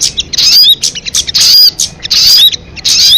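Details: Crested jay uttering choppy, scratchy high bursts with brief whistled slurs, in irregular stuttering groups separated by short gaps.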